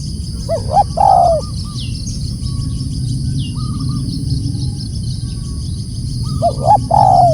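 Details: Spotted dove calling loudly: short phrases of rising and falling hooting coos near the start and again at the end, with quieter single notes between, over a steady low rumble of background noise.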